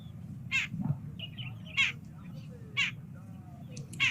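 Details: A Jungle Babbler, likely the one perched on a branch or post keeping watch while its group forages on the ground, gives four short, harsh, rasping notes about a second apart over a low background hum.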